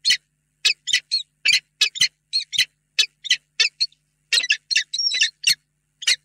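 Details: Pair of peregrine falcons meeting in their nest box, Reda, late afternoon of 28 February 2022; rapid, rasping chip notes in an uneven string, bunching into a quicker chatter near the end.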